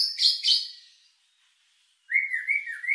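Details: White-rumped shama lure song meant to stir emotion and breeding drive: two loud buzzy bursts, a second of silence, then a wavering whistled phrase with rapid high ticking above it.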